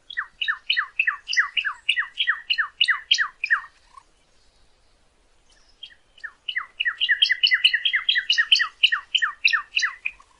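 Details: Northern cardinal song, used for teaching captive birds to sing: loud, steady series of down-slurred whistled notes, about three per second, with a brief pause midway before the series resumes even faster.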